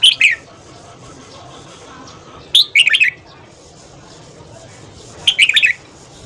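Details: A Red-whiskered bulbul gives its morning song, meant to train voice and stimulate singing in other bulbuls: three lively bursts of rapid chirpy warbled notes, roughly every two and a half seconds, over soft background noise.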